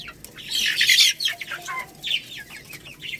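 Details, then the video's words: Lohmann Brown chicks, a young rooster and hen, chirp while eating rice: a loud rustling, flapping burst, then quick downward-sliding peeps and sharp high chirps repeated several times a second. "Chicks Chirping Sounds"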